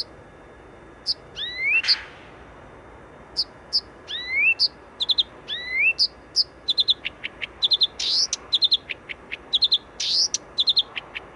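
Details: Blyth's reed warbler in song in Warsaw's Wola district near the western railway station, Poland: slow rising whistled slurs alternating with ticking notes, building into quicker runs of dry clicks and buzzy bursts over traffic hum.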